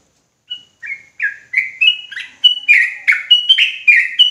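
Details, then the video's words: Agitated sooty-headed bulbul in ropelan song: spaced chirps that speed up into a dense run of short bubbly notes, alternating a clear higher note with a lower slurred one, growing louder toward the end. "Trucukan gacor ROPELAN NGOTOT EMOSI"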